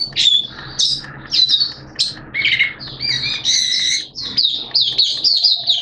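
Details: Oriental white-eye kept as a caged hobby bird, singing during wet, erratic weather with loud, varied, high twittering phrases, mixed with harsher squawky notes and rapid trills.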